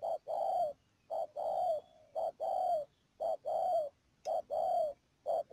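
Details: Decoy spotted dove in a trapping setup at Mương Điều, Đầm Dơi, Cà Mau, Vietnam, 12 March 2019, calling in steady pairs: a brief coo then a drawn-out downslurred croon, repeated about every second, clean and loud.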